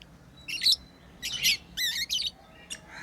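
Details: Lovebirds playing, uttering harsh, high squawking chirps with wavering, buzzy notes in a few bursts, plus one brief sharp chirp near the end.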